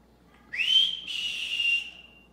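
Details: Belgian canary kept as a pet, singing a long pure whistled note that sweeps up, holds high, breaks briefly, then continues steadily before fading; quiet room background.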